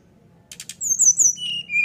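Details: Brown-chested jungle flycatcher in captivity, whistling with its beak open to lure other birds into song. Three soft rasping clicks, then brief high whistles dropping to a lower whistled note.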